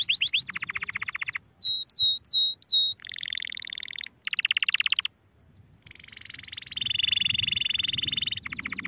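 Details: Domestic canary singing a varied song in separate tours: fast buzzy trills, a run of ringing bell-like notes, then long rolling trills, with brief pauses between phrases and a faint low rumble behind.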